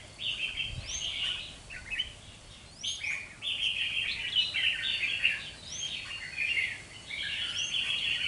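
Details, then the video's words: Red-whiskered bulbul caught wild and held two months, performing a fighting display. It pours out continuous warbling, fluty phrases with sharp rising squeaks between them, plus one soft low thump. "Chào mào bổi 2 tháng đấu xoè"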